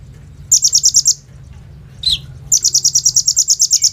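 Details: Kolibri ninja (olive-backed sunbird) in vigorous lure song for training birds: a fast rattling series of high buzzy notes, one sharp downward chip, then a longer quick run of pulses.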